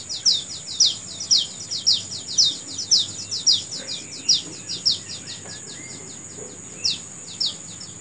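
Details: A bird in the morning gives bright, sharply descending chirps about twice a second, pausing briefly before resuming, while a steady high insect drone runs underneath.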